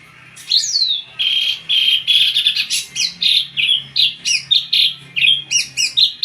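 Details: Drongo (srigunting) in full, vigorous song: a fast, continuous run of bright whistled notes and sweeping slurs, phrases pulsing about twice per second, with a faint low hum underneath.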